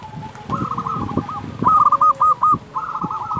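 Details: Local zebra dove song for training slow-singing doves: soft overlapping coo phrases, then a loud, crisp run of rapid notes in the middle, followed by more distant cooing.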